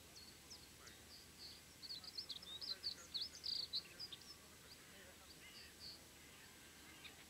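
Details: A pair of common kestrels (Falco tinnunculus) mating, giving a quick burst of thin, shrill, high-pitched calls that are densest in the middle seconds, over a steady background hiss.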